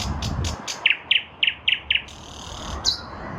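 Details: Repeated punchy notes from a nightingale in a lilac bush, spring 2023, about four per second after a run of soft clicks, ending in a high phrase.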